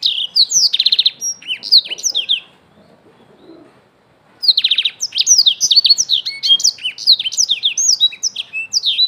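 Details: Young Black-throated canary singing rapid high whistled phrases with rattling trilled segments, pausing for about two seconds, then launching back into a lively varied stream.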